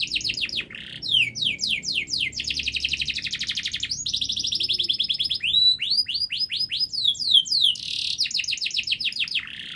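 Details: Canary in long, fast, dense full song, used as a model to prompt young canaries to sing: rapid series of rising and falling whistled trills, buzzy rolling tours and sharp sweeping notes with brief pauses, high and bright throughout.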